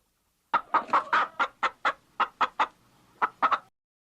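A chicken clucks about a dozen times in three seconds: short, throaty, mid-pitched notes in quick bursts with brief pauses, and no other sounds.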